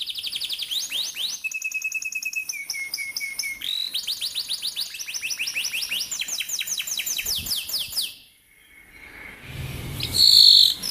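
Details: Canary song for teaching young canaries: varied rolling phrases of rapid downward sweeps and buzzy trills with steady whistled tones, a brief pause, then a loud high burst.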